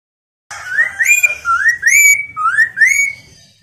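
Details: Chinese hwamei song intended to set other birds answering and singing: starts abruptly, then runs through clear upward-slurred whistles in low-high pairs, three or four pairs in a row, with a soft low hum beneath.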